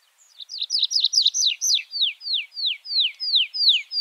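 A Tree Pipit sings a quick jumble of high twittering notes that settles into a steady series of clear, descending slurred whistles, about three per second.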